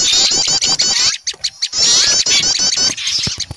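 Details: Small birds scolding at an owl in fright; two bursts of high, fluttering, wavy chatter separated by a quiet pause, with sharp ticking notes.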